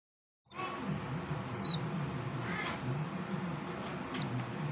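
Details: A hand-fed young cockatiel gives a harsh, wheezy, nonstop begging rasp with a couple of thin high squeaks during feeding.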